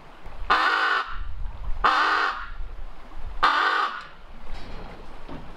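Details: Captive female raven, alone in her aviary and in a chatty mood, caught by a hidden camera, gives three harsh, hoarse croaking caws, each about half a second long, spaced roughly one and a half seconds apart.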